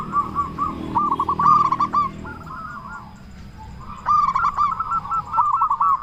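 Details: Big-voiced local zebra dove singing as a lure to make other doves sing. Two rolling phrases of fast throaty coos, separated by a quieter stretch, over low rumbling background noise.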